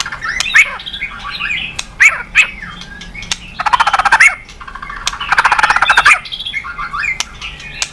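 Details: White-rumped shama in full song to prompt other birds to sing: scattered sharp whistles and chips, broken by two long, rapid buzzy rattles.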